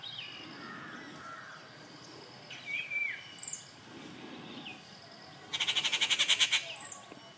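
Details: Quiet background of scattered bird whistles and chirps at Kattupadi, 19 June 2021, then a rufous treepie breaks in with a loud rasping rattle of rapid pulses near the end.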